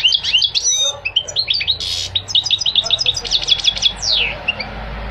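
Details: Goldfinch song runs continuously: rapid tinkling twitters, a harsh buzzy burst near the two-second mark, then quick repeated chirps ending in a falling slurred note.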